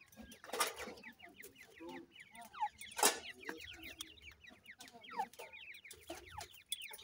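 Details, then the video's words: Francolin chicks feeding, giving a dense chorus of short, thin downslurred peeps, many overlapping and repeated quickly, with occasional louder broadband clicks and rustles throughout. "Teetar chicks ke awaz"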